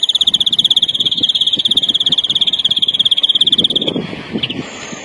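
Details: Training song of the larguero type from a European greenfinch: a rapid, regular high trill lasting about four seconds that then stops, leaving a few faint soft notes and low background noise.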